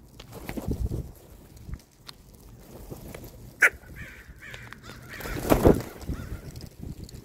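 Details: Group of crows eating peanuts; a few harsh, short caws in the middle, over rustling and bursts of broadband noise.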